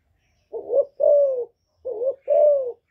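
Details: Calling female spotted dove, used to excite males: low mellow coos in two pairs, each a short rising syllable then a longer sliding hoot, clean with no other sounds.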